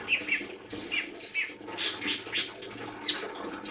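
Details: Rapid, varied song of a lesser green leafbird: high thin whistles and sharp downslurred notes mixed with buzzier chirps, about two notes per second, over faint low hum.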